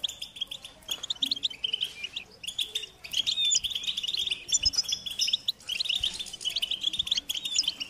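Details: Young European goldfinches begging their parents for food: overlapping high twitters and chirps in long insistent runs, pausing briefly between them, from more than one bird.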